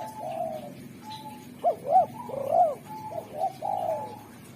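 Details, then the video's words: Spotted dove, local derkuku, singing clearly and sharply to call wild spotted doves: a pair of flat soft coos, then three arched louder notes, then more level coos. "Derkuku super gacor suara tajam, jernih, dan merdu pandai memanggil tekukur alam"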